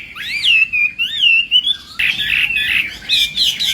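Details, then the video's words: Chinese hwamei singing in morning voice training: clear, looping whistled phrases sliding up and down, then a burst of rapid, scratchy, varied notes. "hoạ mi hót sáng luyện giọng"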